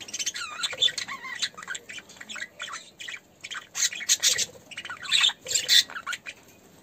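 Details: Budgerigars in an aviary during courtship, the male feeding the female, chatter steadily in scratchy, high squawks and warbled chirps, short bursts tumbling over one another with little pause.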